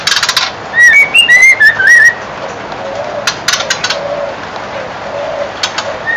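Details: White-crowned shama, Murai Batu, a young bird about four months old singing while taking an afternoon bath; clear whistled phrases near the start, rising and falling slurred notes, then softer splashing clicks and faint quiet sounds.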